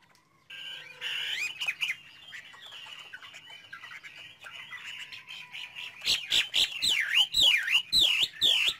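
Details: Chinese hwamei starts with a soft, blurred warble, then bursts into loud, repeated dipping whistles, about two each second.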